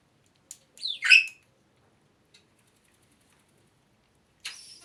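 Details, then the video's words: A talking African grey parrot gives a brief, squawky, bending vocal phrase of about half a second, bracketed by a few clicks and a short rasping burst near the end. "Talking African Grey Parrots"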